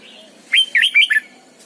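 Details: Red-whiskered bulbul, a lure bird in training, giving morning song: a quick phrase of four loud warbled, looping whistled notes, rising and falling, preceded by faint softer warbles.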